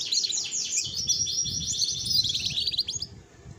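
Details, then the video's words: Female domestic canary singing actively in a rolling style: a dense, continuous run of high, fast trilled notes that shift pattern every fraction of a second over about three seconds, with low rumbling background noise. "Kenari Betina Gacor Ngeroll"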